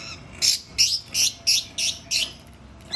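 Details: Cendet (long-tailed shrike) giving six loud harsh rasping chirps in a row, evenly spaced about a third of a second apart, then a short pause before another starts.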